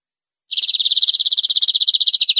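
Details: European greenfinch on a clean recording for training captive birds, giving a fast rolling trill that lasts about two seconds. Nothing else is heard.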